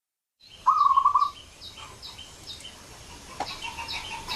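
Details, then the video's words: Zebra dove lure call, used to draw other zebra doves in quickly: one loud rolling phrase of rapid low coos in a short trill, followed by fainter, more distant repeated coo notes over a hissy background. "suara pikat burung perkutut"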